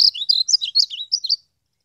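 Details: Wild European goldfinch delivering a rapid, tinkling twitter of about ten bright slurred notes in under a second and a half, then silence.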